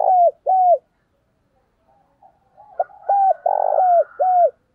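Spotted dove giving soft, low hooting coos, each rising then falling, in two pairs separated by a quieter stretch with fainter notes.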